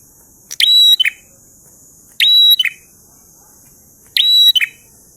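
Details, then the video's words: Prinia singing in the ngalun style, three evenly spaced phrases about two seconds apart: an abrupt clicky attack, a sustained thin whistle, then a pair of lower buzzy notes, with steady high-pitched background hiss. "Prenjak Gacor Ngalun Syahdu"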